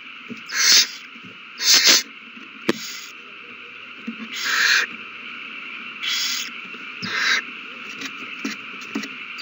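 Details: Nest owls squabbling after a mouse is passed between them, March 21, 2020. Two strong rasping hisses open, followed by a sharp click and three fainter, shorter hiss-screeches at irregular intervals against a background hum.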